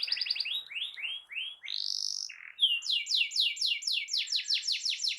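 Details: Canary used to stimulate a silent canary to sing: a fast trill, then a series of upward-swooping whistled notes, a brief buzzy note, and a long train of even falling sweeps about two per second.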